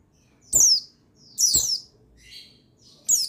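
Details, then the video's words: Buxtoni white-eye (pleci) male, used to stir other white-eyes into singing. High, sharp chirps that sweep downward come roughly once a second. A softer, lower chirp falls between them, over faint background hiss. "Buxtoni Menaikan Emosi Burung Pleci Bahan Agar Pleci Bustomi Gacor Cepat Bunyi"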